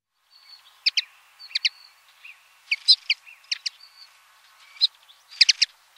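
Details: Common linnet song: short, sharp high chirps given in pairs and small bursts with gaps between, over faint thin background tones.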